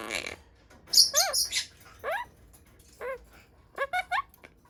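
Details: Pet pastel blue monk parakeet imitating speech: a series of short, nasal, rising and arching harmonic syllables with raspy bursts, separated by brief pauses in a quiet room.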